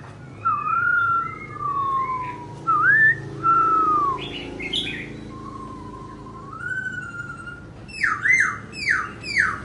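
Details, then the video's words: Singing and dancing laughingthrush gives varied fluting whistles, some rising and some falling, with short sharp upslurs between them, ending in a quick string of about five loud upswept notes. "Khướu Muá Hót"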